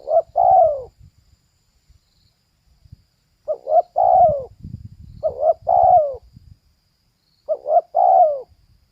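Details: Spotted dove, female, giving four cooing phrases. Each is a short two-part note leading into a drawn-out coo that slides downward, with a pause of a few seconds after the first phrase.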